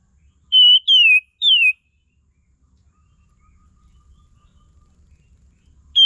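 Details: Olive-winged Bulbul, recorded as a lure sound for training cage songbirds, giving three clear whistles that each drop slightly in pitch, followed by quiet, then the start of another whistle.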